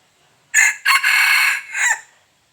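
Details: A single loud red junglefowl crow: a brief sharp first syllable, a sustained strained middle note held nearly a second, and a falling final syllable, the whole call about 1.7 seconds long in an otherwise quiet setting.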